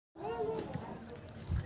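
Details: A pet talking Alexandrine parakeet gives a brief spoken phrase, a voice-like sliding utterance under a second long, with faint background noise and a low thump.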